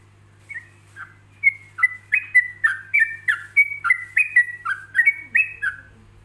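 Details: Yellow-vented bulbul song recorded as a relaxed practice track for other bulbuls to learn from, with pauses between phrases: a run of short bright whistled notes around two kilohertz, slurred up and down, about a dozen in quick succession, with a faint steady hum beneath.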